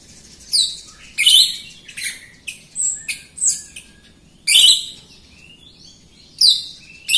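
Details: Jalak Rio, a myna, singing as a lure to train other birds: loud harsh bursts and squawky notes with brief whistled slurs, uneven phrases spaced a second or so apart over a faint low hum.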